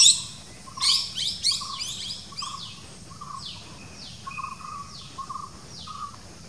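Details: A Legge's hawk-eagle chick in its nest in India gives thin, high downslurred whistles about once a second, mixed with short lower chirps over a steady background hum.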